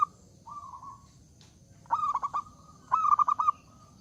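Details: Loud zebra dove singing to provoke rivals into singing back, beginning with a sustained flat coo before two quick rattling runs of short clipped notes, closing on a held tone over faint low rumble.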